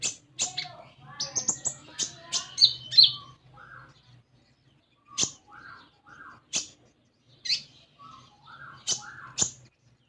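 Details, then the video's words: Common iora, an untrained captive bird, starting with a quick run of high chirps and whistles, then slowing to spaced sharp notes mixed with lower, soft, mellow whistled pairs. "Konin Bahan Dijamin Langsung Bunyi"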